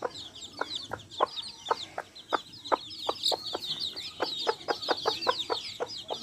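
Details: In a backyard flock of hens with chicks, a rapid run of short, clipped clucks, quickening toward the end, overlaps constant shrill peeping from the young birds.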